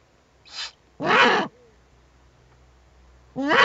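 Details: Eurasian eagle-owls, an adult and owlets at a nest webcam on 21 April 2020, give a soft short rasp, then a long loud hoarse screech, a pause, and another harsh harmonic call.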